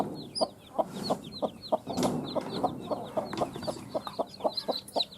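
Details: Newly hatched chicks from eggs hatched under a hen, many chirping at once: high, short, downward-sliding peeps overlap continuously, while steady low clucking pulses repeat about three times a second underneath.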